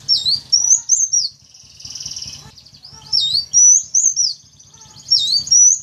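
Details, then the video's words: Lure call used to draw in wild sunbirds: sharp, very high dipping whistles in clusters, broken by a brief buzzy rattling stretch near the middle, then more dipping notes, with a low background hum. "Suara Pancingan Atau Pikat Burung Kolibri Wulung, Kaca, Jentit"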